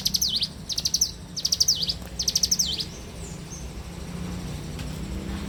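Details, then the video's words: Bar-winged prinia singing in the morning: rapid high ticking notes in short bursts ending in quick down-up slurred sweeps, four bursts in the first three seconds, then quiet with a low steady background hum. "suara alam cigun gacor dipagi hari"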